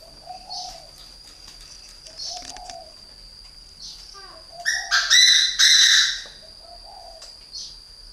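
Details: Caged three-year-old decoy spotted dove from northern Vietnam gives repeated low, soft coo phrases, interrupted midway by a loud burst of harsh high chirping and fluttering, over a steady high whine.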